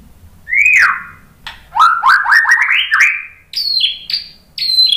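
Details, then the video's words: White-rumped shama song meant to set other shamas singing. A rising whistle, then a quick run of climbing slurred notes in steps, followed by high, thin, downward-sliding whistles repeated three times. "suara MURAI BATU Untuk Memancing BUNYI biar ikut GACOR NGEPLONG"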